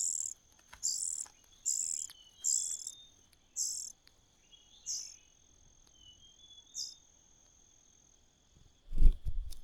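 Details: A common cuckoo chick in a host nest sends out a string of hissing, high begging notes that thin out and fade. A loud low thump comes near the end.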